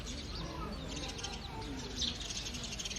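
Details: Early-morning chorus of house sparrows, a dense continuous wash of overlapping high chirps and tweets, with lower murmuring sounds and a constant low rumble underneath.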